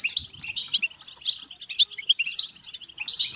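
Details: Brief stretch of European goldfinch song used to stimulate singing and mating: rapid tinkling chatter of high chirps and short whistled notes, almost without gaps.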